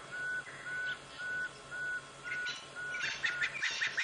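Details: A Pearl-spotted Owlet calls near a drainage line at sunset on 8 November 2016, Djuma Game Reserve: a steady run of pure, level whistles about twice a second, then louder, rougher notes, over faint high insect hiss.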